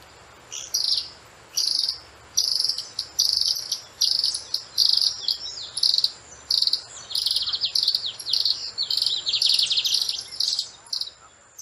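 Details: Common tody-flycatcher, a small bird that sings year-round, is common in cities and is named for a song like winding a clock, giving high, sharp chipping bursts, several a second, in a steady ticking series over a faint continuous insect whine.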